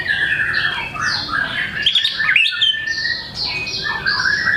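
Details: White-rumped shama in energetic song showing off its learned repertoire: layered whistles and slurred chirps running almost without pause, with one short break near the middle.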